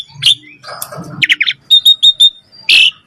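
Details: Common myna giving low gurgling sounds, then four sharp, evenly spaced high chips and a closing harsh burst.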